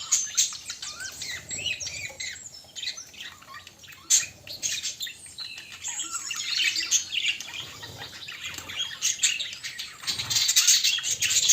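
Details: Pet budgies said to be finding a mate keep up rapid, overlapping high chirps and scratchy warbles, busy throughout with louder squeaky bursts near the end.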